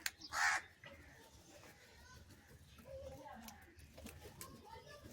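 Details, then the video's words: A crow calls for food, such as cheese, with a single short, loud, harsh caw at the start. Quiet background murmur and faint noises follow for the rest. "Different Crow Sounds and Calling for Cheese"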